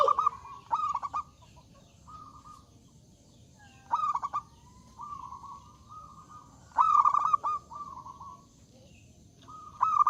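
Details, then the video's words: Loud zebra dove singing eagerly to provoke rival birds. Stuttered coo bursts recur every few seconds, linked by smooth, steady humming tones, for a slow, repeated phrase pattern over ten seconds. "Suara Burung Perkutut Gacor Suara Besar Mengundang Lawan Bunyi"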